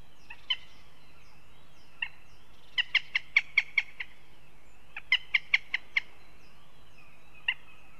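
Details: Northern goshawks in Riga, Latvia. Harsh, sharp kek notes come in fast runs of five or six, with a few single notes between the runs. A steady wavering electronic whine and a low hum run throughout.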